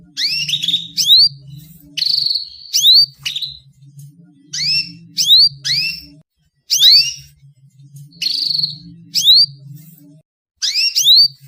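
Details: Female canary giving lure calls meant to make male canaries sing: rapid clusters of sharp upward-sweeping whistled chirps, some notes held briefly, coming in bursts every couple of seconds with short gaps, over a soft low background hum.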